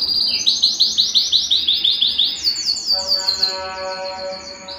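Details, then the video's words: Belgian canary singing to stimulate a cold canary: fast pulsed high note series for about three seconds, then sharper rapid notes over a steady low tonal hum. "Canto de Canário Belga para Esquentar Qualquer Canário Frio"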